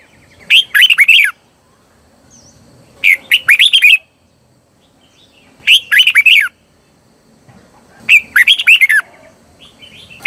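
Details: Red-whiskered bulbul singing as a decoy to attract wild birds: four bubbly whistled phrases, each of about six swift slurred notes, repeated roughly every two and a half seconds.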